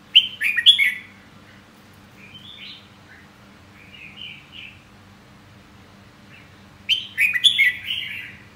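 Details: A red-whiskered bulbul opens with a loud cluster of warbled, whistled notes, gives soft chirps through a quiet middle stretch, then ends with another rich burst of song, all over a faint hum.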